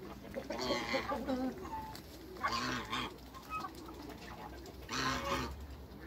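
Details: Three bursts of harsh, nasal honking come from a flock of six African and Toulouse geese being met by people, each burst about a second long and spaced a couple of seconds apart, over low background rumble.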